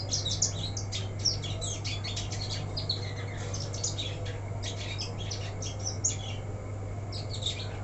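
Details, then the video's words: Black-throated canary, an untrained caged bird left uncovered, pouring out a dense, fast chattering song of high metallic chirps and quick trills with brief pauses, backed by a steady low-pitched hum. "Lupa ga di krodong blackthroat bahan jadi begini"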